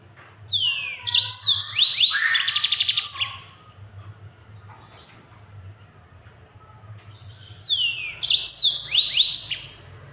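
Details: Yellow-fronted canary (Mozambique) giving a speedy rolling song used to train other birds: a three-second burst of rising sweeps and buzzing trills, several seconds of near quiet, then a second similar burst.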